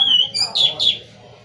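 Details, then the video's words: Oriental magpie-robin (kacer) with a pure steady whistle followed by two quick, loud, slurred chirps, then trailing off into quiet room noise. "KICAU BURUNG KACER"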